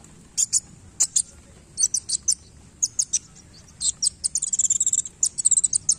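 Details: Wulung sunbird in full song with tail-flicking display: scattered high, sharp chirps that build into a fast, dense trill of thin notes near the end.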